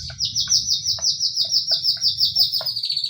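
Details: White-rumped shama provoking song for drawing other shamas into singing: a fast, steady run of high sweeping whistled notes repeated about three per second, with scattered lower ticks and a faint low hum.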